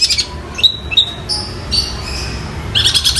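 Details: Long-tailed shrike song copying other birds, here sparrows and a kingfisher: thin, high whistles sliding upward and held briefly, ending in a quick burst of rapid scratchy chirps.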